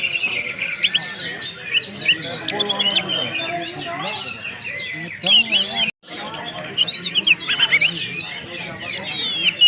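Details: Orange-headed thrush singing ngeplong-style with whistle sounds: a busy medley of high whistles, buzzy trills and twittering, cut by a brief silence midway, then resuming as loudly as before.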